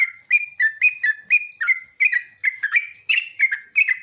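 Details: Sooty-headed bulbul lure song for making other bulbuls respond, styled ngeropel, ngecruk and nembak: clear, whistled slurred notes in quick bubbly couplets, repeated steadily with tiny gaps throughout.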